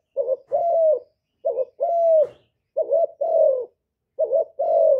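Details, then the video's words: Cu gáy (spotted dove) calling as a lure for other doves, recorded live and noise-free. Four paired phrases come in close order, each a brief hooting note leading into a fuller, slightly descending coo. "TIẾNG CHIM CU GÁY KÍCH MỒI RẤT HIỆU QUẢ, CU GÁY KÍCH TRỐNG CỰC HAY"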